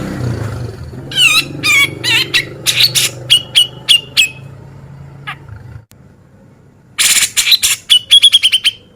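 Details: Male Cucak jenggot singing sharp, loud contest-training song: a run of downslurred and whistled notes with a low hum beneath, a pause, then harsh bursts ending in a fast high ringing trill.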